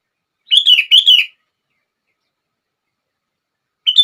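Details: Sooty-headed bulbul song, used to set other bulbuls singing: two quick bursts of bubbly, warbled notes near one pitch band, then a long silence and a brief further phrase at the end.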